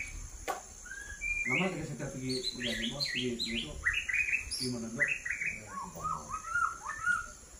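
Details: White-rumped shama, a murai batu presented as a king fighter bird in action, giving a busy run of bright high chirps and short whistled notes, some rising and some falling, while people talk in the background.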